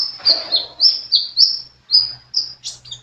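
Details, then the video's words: High, thin whistled notes from a sunbird singing energetically, each note sliding slightly downward, repeated about every quarter second in a steady chain, with a faint low hum behind. "Burung kolibri gacor"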